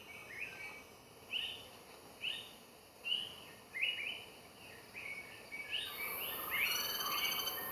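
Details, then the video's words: Greater flameback woodpecker calling: short, high, slightly rising notes repeat about once a second, then come faster and overlap near the end, over steady hiss and a high insect-like whine. "Greater flameback woodpecker call"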